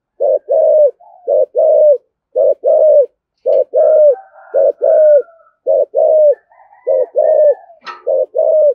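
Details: Spotted dove, 'thổ' voice, 'thúc gù' coo used to stir up wild doves; low hollow phrases repeated about once a second, each a quick double note and a longer drawn note, with faint higher whistles from other birds behind.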